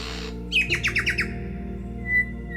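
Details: A male superb lyrebird, an expert mimic, in cool temperate rainforest of the Dandenong Ranges, Australia, gives a quick run of six bright, falling whistled notes, then a thin held whistle, over a soft musical drone.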